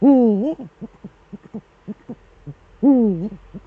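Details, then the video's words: Eurasian eagle-owl pair in duet, male at the nest, Eifel region of Germany, 13 December 2013, 17:25: two strong bending harmonic calls about three seconds apart, separated by soft, evenly spaced short hoots. "Uhu-Duett, Männchen am Horst"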